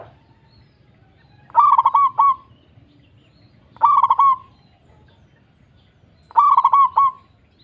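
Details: Lure recording of a local zebra dove to get other doves singing: three bursts of rapid, bubbling staccato coos, each under a second, spaced about two and a half seconds apart, in quiet surroundings.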